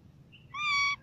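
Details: A parrot calling naturally: a brief faint high squeak, then a longer steady, buzzy-toned harmonic call of about 0.4 seconds, over soft low noise.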